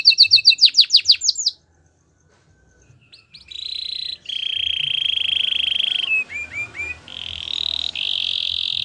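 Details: Gloster canary singing a varied phrase: quick descending chirps, a pause, then long steady whistled tones, a few upward-curling slurred notes and another sustained high note, loud and clear with little background.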